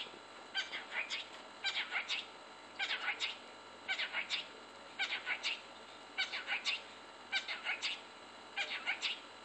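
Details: A pet cockatiel in Leeming, WA, on 14 June 2014 whistles the learned tune "Happy Birthday" in short phrases of clear, bright notes, pausing between each phrase.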